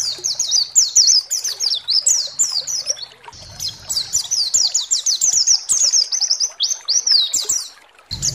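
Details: Lure song of a pleci, or white-eye, meant to stir other birds into song: a nearly continuous chain of sharp, high, down-slurred twittering notes, with a low rumble at times.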